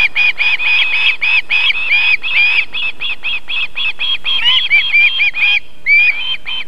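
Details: Osprey nest in Võrumaa, South Estonia, evening of 31 July 2021, as the female feeds her chicks; rapid overlapping high whistled chirps, some notes sliding up and down, in dense runs with a brief pause near the end.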